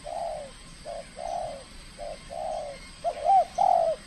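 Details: Trained spotted dove, aggressive at its first contest in the Riau Islands, Indonesia: a run of low mellow coos of varying length, ending with two louder wavering hoots, against faint background noise.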